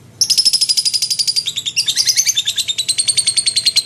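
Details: Lovebird in energetic full song, kept as a tutor bird for training magpie-robins: rapid high chirps repeated about two or three per second, some bands sliding downward, forming a continuous chattering stream.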